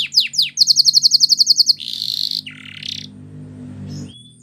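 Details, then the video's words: Singing Belgian canary, training song: a few sweeping whistles, then a fast regular bubbling trill of about a dozen beats, a harsh buzzy roll and a falling grating phrase over a low steady hum. "The Most Magical Training Belgian Canary"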